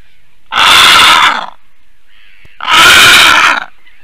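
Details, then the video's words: Female Eurasian bittern in Latvia defending and calling loudly at 8:42 in the morning on 28 April 2022: two harsh, rasping, loud calls, each lasting nearly a second, about two seconds apart, with faint bird calls between. "Latvian Eurasian Bittern~ Female is defending and loud calling"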